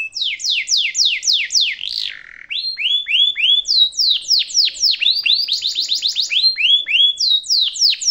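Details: Canary master song for young canaries to copy, a long rolling performance: repeated high whistled downslurs about four per second, a brief lower warble, then more rapid sweeping notes and a buzzy high trill.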